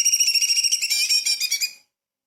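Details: Light-vented bulbul delivering a small-bird 'tembakan' phrase as tutor material for magpie-robins: a bright, steady, high whistled trill with fast pulses, growing richer midway, then stopping abruptly.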